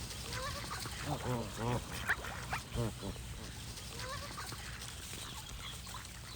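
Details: Goose honks in bursts, a rapid run of rising-falling nasal notes near the middle, then quieter scattered calls from a flock, with low rumble underneath.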